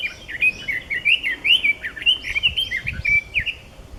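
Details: Song of a red-billed leiothrix recorded 6 May 2014 at Nukata park on Mount Ikoma, Japan, where Japanese bush warblers also sing: a continuous, rapid, rollicking phrase of clear up-and-down whistled notes filling the whole four seconds.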